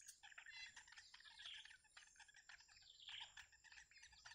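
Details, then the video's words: Young wild bitterns calling for the returning parent with food. Dense, jittery high chirps come in uneven bursts, with a faint steady insect tone in the background. "The Baby Bird Waits For The Mother To Return With Food"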